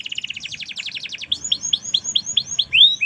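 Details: Merlok canary singing steadily: an accelerating trill of sharp high notes leads into a run of separate, evenly spaced downslurred whistles and ends with a rising whistled sweep.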